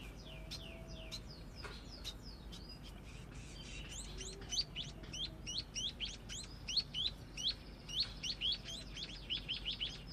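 A young scaly-breasted munia practises its song: thin, high chirps and short whistled notes in quick, uneven bursts, over a soft background hiss.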